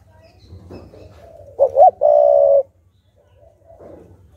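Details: Cooing decoy spotted dove singing to provoke wild doves: a single phrase of two short swooping notes followed by a long, level coo, over a low rumbling hum and soft background sounds.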